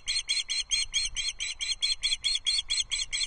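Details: Osprey chicks at feeding time on a Loch Arkaig nest, filmed by a live nest camera on 14 June 2024 as a trout is delivered. Piercing high chirps come in an unbroken, steady series, about two to three per second.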